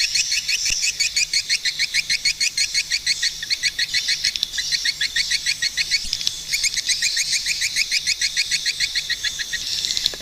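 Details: Swiftlets repeating short, high, bright chirps in a fast, steady rhythm of about three per second, with several birds overlapping into a continuous chorus.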